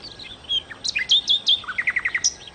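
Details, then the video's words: Nightingale (sikatan londo) singing loudly: a clear high whistle, a couple of low slurs, then crisp sweeping high notes followed by a quick series of six or so descending chips. "kicau Sikata Londo( Nightingale Birds )-Kicau Burung"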